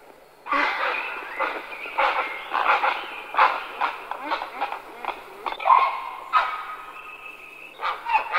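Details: Harsh, hoarse croaking cries of grey herons (Ardea cinerea), rough squawks following each other about every half second to second, some longer grating notes among them.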